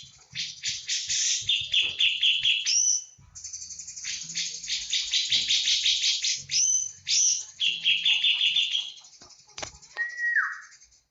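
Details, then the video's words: Cucak jenggot, the Javan bulbul, delivering a full 'tembakan' song: long runs of fast, high chattering notes broken by brief pauses, with trilled passages and a final falling whistle. "Cucak jengot jawa full tembakan"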